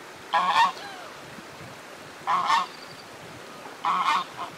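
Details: A very tame goose that seems distressed, as if it lost someone, calls with three loud harsh honks spaced roughly two seconds apart, each a short doubled blast, with quiet background between them.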